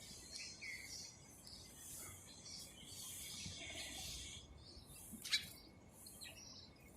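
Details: Sparrows, possibly while eating, give short, high chirps scattered through the clip, with one sharp louder chip near the end, over a steady background hiss.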